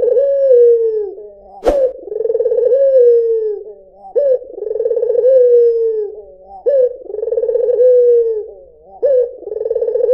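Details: White Barbary dove giving clear, rolling low coos, each about two seconds long, that open with a short rising note, trill through a steady purring middle and sag at the end, repeated with brief pauses. A sharp click cuts in early.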